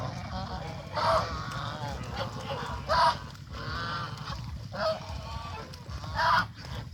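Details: Adult and baby geese on a small countryside farm, fed fresh green grass by a pond. Four loud, nasal, harmonic honks arrive roughly every one and a half to two seconds over a steady low background rumble.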